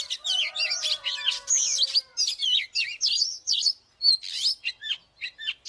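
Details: Oriental magpie-robin singing an aggressive fighting song: crowded, varied high whistles and buzzy trills pouring out quickly, then thinning to separate sharp notes with short gaps.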